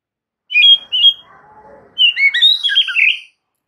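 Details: Varied whistled song of a white-rumped shama, used to coax silent, stressed birds to sing: two bright whistles, a soft low warble, then a fast jumble of high rising and falling notes.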